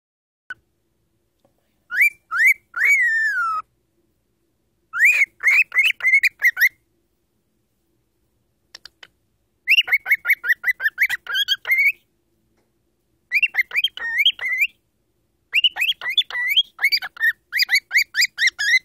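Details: An 18-year-old pet cockatiel that also talks and makes many noises, sitting in a drawer on a coffee table, whistles in quick bursts of clear, bending notes with short pauses between phrases.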